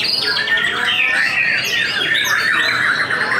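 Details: White-rumped shama kept for contests, singing right after moulting while hung on the pole, later a second-place winner. A continuous run of warbled, sliding whistles and quick trills, dense and unbroken, amid other caged birds.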